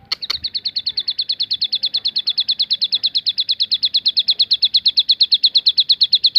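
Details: Bar-winged prinia giving its 'tembakan' (shooting) song variation: a long, fast, even machine-gun series of identical high, sharp notes running without a break after two short clicks at the start.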